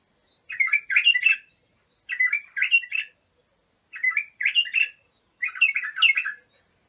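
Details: Abu shuaib bulbul from Iraq singing, a recording for teaching young bulbuls: four chattering, fluty phrases of rapid up-and-down notes, spaced about one and a half seconds apart, in silence.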